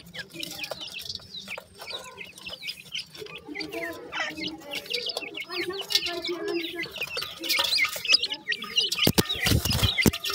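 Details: Francolin chicks, a new pair of dakhni teetar, calling with many busy high chirps and peeps, overlapping with clucking sounds and some voices in the background.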